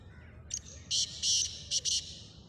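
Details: Black francolin, a partridge locally called kala tetar, giving a harsh grating phrase of five buzzy notes, the middle ones longest, over low background hum.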